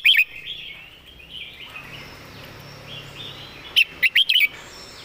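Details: Red-whiskered bulbul used as a song tutor, noted for clean phrasing: a short chirp at the start, then a ringing run of four quick warbled notes near the end over faint background birdsong.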